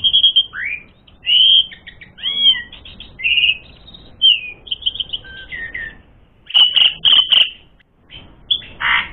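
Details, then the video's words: Asian pied starling song, used as a lure to rouse birds to fight: loud whistled and slurred notes, rasping trills and a final harsh burst, delivered in separate bursts with gaps between. "Masteran Suara Burung Jalak Suren Gacor Full Isian Mewah Jadikan Suara Pancingan Jalak Suren Tarung"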